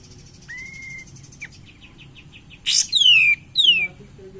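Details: Cream-vented bulbul lure song to excite other birds: a thin steady whistle, a run of soft rapid ticks, then two loud downward-sliding whistled phrases close together.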